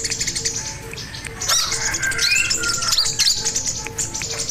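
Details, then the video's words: Sogon singing on a master recording meant for training other birds: quiet start, then a loud burst of rapid high chirps, trills and whistled notes, with a steady repeated low beep beneath. "Pancingan Dan Masteran Burung Sogon Gacor Dor"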